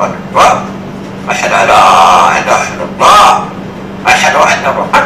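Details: A black-headed lory, a protected parrot native to Indonesia, mimics human speech in hoarse, voice-like phrases, reciting the iqamah call to prayer in short bursts over a steady low hum.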